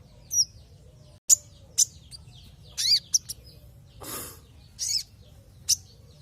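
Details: Kolibri ninja sunbird lure for triggering song: spaced high chirps and short slurred whistles, one lower downward note, and a brief rushing noise burst midway.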